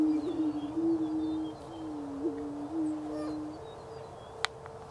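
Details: Greater prairie-chickens in Wabaunsee County, Kansas, in spring 2010 give a long, low, hollow moan with small pitch wobbles lasting over three seconds, then quieter background with a single sharp click.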